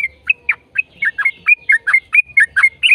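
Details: Yellow-vented bulbul (trucukan) in full 'gacor ropel panjang' song, a long rapid song used as a lure to prompt other bulbuls to sing: loud, bright chirped notes, each sharply rising or falling, rattled off about four or five per second.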